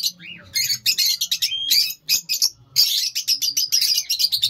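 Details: Caged lovebirds calling: dense bursts of shrill, high chirps and squawks in rapid chattering runs, pausing briefly near two seconds before resuming loudly.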